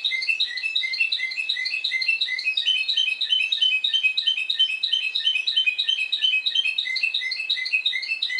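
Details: Spanish Timbrado canary from Madeira, Portugal, singing the discontinuous song style: dense, even stream of rapid metallic chirps and short whistles layered at several pitches, continuing without a break.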